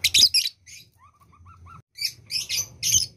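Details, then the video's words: Lovebird in breeding condition gives rasping, scratchy chatter bursts, then a soft run of faint short whistled notes, followed by more harsh squawks. "lovebird yang birahi"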